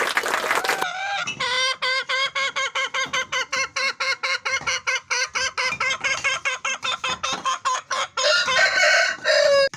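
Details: Fancy hen clucking in a long run of short, evenly spaced harmonic clucks, about four a second, after a loud harsh opening squawk. A brighter drawn-out cackle follows near the end.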